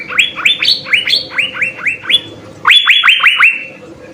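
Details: Asian fairy-bluebird in vigorous song, used as a master recording for training songbirds: a steady series of rising whistles, a few higher, then a louder group of four quick whistles.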